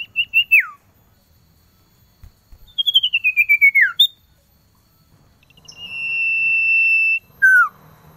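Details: Male common iora calling a female, recorded as a cold-season lure: a downslurred whistle, then a rapid run of about ten notes sliding steadily lower, a long level whistle held over a second, and a short falling note.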